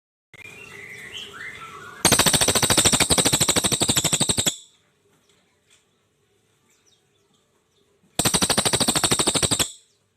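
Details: Brown cililin (crested jay), an Indonesian bird prized by songbird keepers as a tutor for its distinctive dense rattling 'shots': two bursts of extremely rapid, dry, machine-gun-like rattling, each about two seconds long. Soft chirps from other birds precede them, with quiet between bursts.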